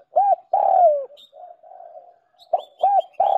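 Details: Lure recording of a spotted dove, played to get decoy doves cooing. A short hoot precedes a long, falling coo, then quieter murmured cooing, before another pair of short notes and a fresh coo. Faint high chirps occur nearby.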